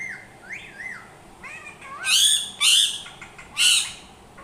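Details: Two rising-and-falling whistles from a parrot, then three loud, rasping squawks about a second apart.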